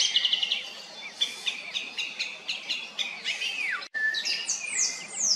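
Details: A song thrush, often singing hidden high in a tree behind branches, gives bright, high phrases of quick chirps and slurred whistles, several repeated in short bursts, ending with clear descending whistles.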